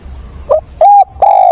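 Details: Decoy spotted dove calling for a mate, 17 September: a soft short note followed by two sustained, steady, mellow coos.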